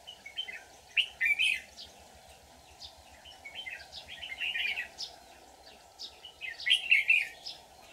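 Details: Red-whiskered bulbul of the white-cheeked type, a decoy bird in a trap set on 24 July 2019, singing a fighting song to lure wild bulbuls: bursts of bright, chattering warbled phrases about every two to three seconds, with quieter notes between.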